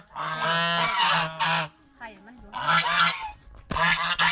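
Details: Loud, raspy honks from geese feeding on bread and fresh vegetables in a fish pond, delivered in drawn-out bursts with a short lull between them and a sharp knock near the end.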